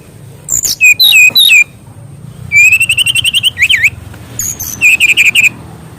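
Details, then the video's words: Mangrove whistler singing as a training master for young birds: bright whistled phrases, a fast run of repeated even notes, then looping trills and quick doubled whistles, against faint low background rumble. "BURUNG SRDC ISIAN GACOR FULL"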